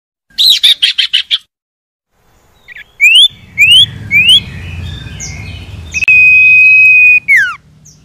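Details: Common iora song played to get reluctant caged birds singing: a rattle of buzzy notes, three rising upswept whistles, then a long level whistle ending in a sharp downward slur, with low background hum.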